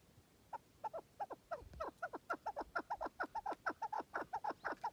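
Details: Chukar partridge giving a steady run of hoarse, chuckling notes, roughly two per second, somewhat distant and quieter, over a constant low background hiss and rumble.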